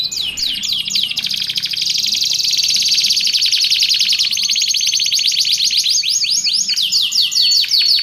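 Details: Canary song used for training and luring canaries: a continuous, loud run of rapid trills and rolling notes, high-pitched, with quick repeated chirps and sweeping whistled phrases, no pause throughout.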